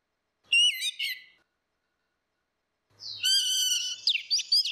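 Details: Orange-headed thrush, female against male, in ngeplong singing, meant to coax a silent bird into song. A brief bright ringing phrase, then two seconds of silence, then a longer loud whistled run with sharp notes.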